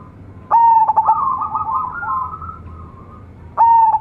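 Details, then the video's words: Zebra dove of local breed, young of a champion decoy bird. A loud pulsed coo overlaps a softer rising, rolling coo, and a second loud phrase starts three seconds later. "PERKUTUT LOKAL ANAKAN RAJA PIKAT SUARA CEMERLANG"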